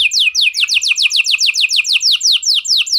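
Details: Canary singing 'cengkok mewah' style to set off other canaries; a steady series of sharp descending whistled notes repeated roughly seven times per second.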